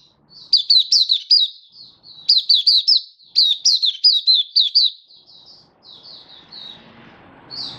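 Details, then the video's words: Oriental white-eye in song display, 24 February 2023: three loud bursts of rapid high chirping, then fainter scattered notes as a low rustling noise builds toward the end. "Mata Puteh Happy Buka Sing"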